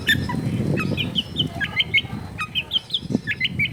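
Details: Long-tailed shrike singing in a noisy residential setting: quick sequences of clear, high whistled chirps, some rising and some falling, set against a steady low rumble of household and street noise.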